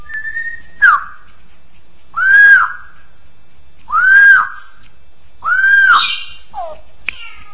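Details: Straw-headed bulbul (cucak rowo) in continuous chattering 'ngoceh' song, used as a master recording for tutoring birds: loud, rich whistled notes, each arching and then falling, delivered in separate bursts about every one and a half seconds, with a short sharp note near the end.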